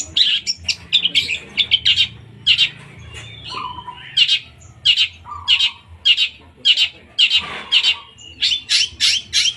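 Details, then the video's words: Long-tailed shrike, kept as a songbird, singing an energetic series of harsh, scratchy chattering notes in rapid bursts with brief pauses, a few lower whistled notes between, recorded indoors close up. "tembakan kunti"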